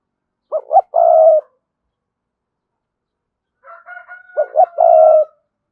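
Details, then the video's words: Spotted dove coos, two short notes then a long husky one, twice; the bird is a decoy used to attract wild doves. A fainter, higher, longer call from another bird runs under the second phrase. "Chim cu gáy Cườm Sa thúc gù gáy gọi đủ bài. chim cu gáy kích bổi nhanh nổi"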